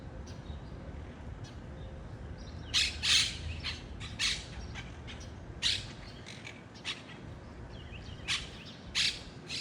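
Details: Wild monk parakeets (Myiopsitta monachus) giving harsh, grating squawks in short bursts, about one per second from the third second onward, over a steady low rumble.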